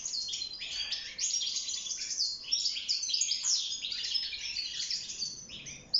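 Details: European goldfinch in a cage sings to court and build a nest, a lively, dense chatter of high, tinkling and slightly rasping notes that rises and falls in loudness.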